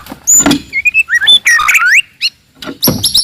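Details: Loud, aggressive song of a wild white-rumped shama, meant to provoke rivals: clear whistled notes and sliding phrases with harsh chattering bursts, broken by short gaps, plus some low knocking noise.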